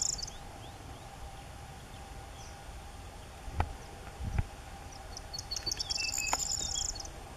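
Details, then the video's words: Song of a corn bunting, taken on an SX50 HS: after quiet background with two dull knocks, a run of quick ticks speeds up into a shrill, glassy jingle lasting about a second and a half. "Grauammer Gesang ( Corn Bunting , Emberiza calandra )"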